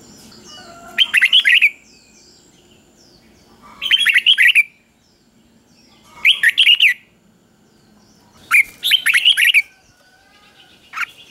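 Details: Caged red-whiskered bulbul repeating its three-syllable 'double' song, used to teach young birds: four crisp, warbling phrases of rapid chirps, roughly every two and a half seconds, in a quiet room.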